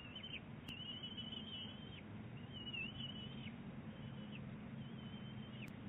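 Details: Bald eagles, eaglet and mother, at Big Bear Lake in April 2018; high wavering whistled chatters in two longer bouts and a few short upslurred chirps, above a low droning background.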